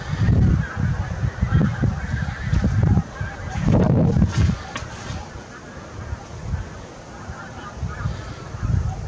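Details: Big goose flock, recorded 8 April 2021: loud bursts of low, overlapping honks in the first half, fading to scattered, quieter calls later over steady background noise.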